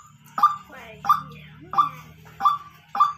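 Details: White-breasted waterhen calling in a natural setting: short, harsh, nasal notes repeated about every two-thirds of a second, five in a row, over a faint low hum.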